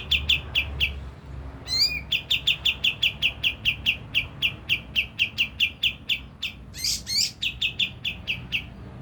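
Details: Lure song of a Javan grey-throated white-eye for rousing birds to sing: fast, regular chipping notes, interrupted twice by loud rising, whistled slurs, over soft background noise.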